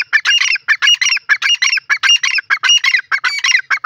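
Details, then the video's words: Teetar francolin giving a steady series of loud, grating, honking notes, roughly one and a half to two per second, continuous throughout with no background sounds. "dakni teetar voice call sindhi teeter awaaz"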